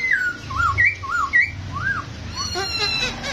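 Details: Masked laughingthrush, a caged bird shown dancing, whistling a series of looping, slurred notes in a steady rhythm, followed by softer rippling chatter, indoors.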